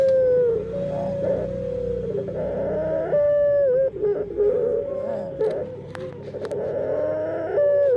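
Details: Dove singing in an unusually strange voice: overlapping drawn-out tonal notes that waver and bend up and down almost continuously, with short dips and a few faint clicks.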